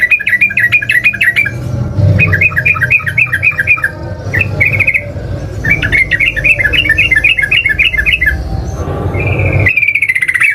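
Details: Sooty-headed bulbul in vigorous fighting song meant to provoke rival birds into answering: runs of quick bubbly whistled notes in rapid series, brief pauses between bursts, a higher sustained trill near the end, over steady low rumbling background noise.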